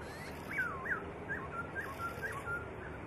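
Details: Training master song of a white-rumped shama: a quick run of clear whistled notes, short upward slides mixed with level tones, about eight phrases in three seconds, with constant faint hiss behind.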